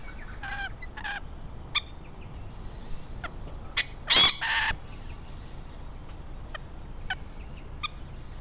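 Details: A chatty pair of rainbow lorikeets raiding the nest of a pied currawong that holds no eggs or chicks yet: harsh, grating screeches in short bursts, the loudest double burst midway, over a steady background hiss.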